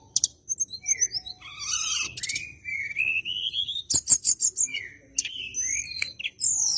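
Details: Bar-winged prinia in a fighting mood, seeking a rival, used to prompt white-rumped shamas to sing: descending whistled notes, a long rising whistle, then rapid loud buzzy chatter and squeaky slurs.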